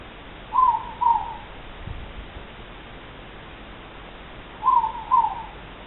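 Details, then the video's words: Two moreporks (ruru) recorded on 3 Aug 2014, each giving the two-note 'more-pork' hoot twice, a few seconds apart, the second note slightly lower, over a soft steady hiss. "The Sound of 2 Moreporks (Ruru)"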